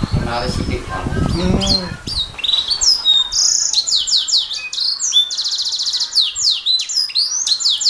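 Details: Canary song used as a master recording for training songbirds: after low speech-like sounds in the first two seconds, rapid high twittering begins, with swooping whistles, buzzy trills and fast rattling rolls.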